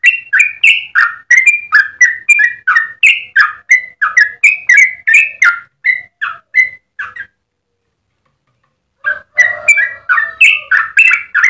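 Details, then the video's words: Yellow-vented bulbul's long 'ropel' singing, used as a master recording and lure for others; rapid chattering whistled notes for seven seconds, a silent gap of nearly two seconds, then the fast bubbly notes resume. "Trucukan gacor ropel panjang cengkok termerdu untuk pancingan dan masteran"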